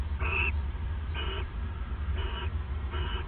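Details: Owls bonding at their nest at night, December 29, 2014; four soft, husky hissing bursts roughly evenly spaced under a second apart, fairly faint against a dominant low rumbling hum.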